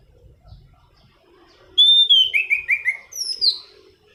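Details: Rolling song of a Black-throated laughingthrush for luring and tutoring birds: a clear whistle followed by a series of descending slurred whistles, ending in a high falling buzzy phrase.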